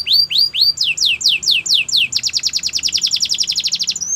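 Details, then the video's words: Canary song for training: a series of sweeping notes that drop in pitch, slowing slightly, then a fast, even, high rolling trill lasting about two seconds. "Canary song for training"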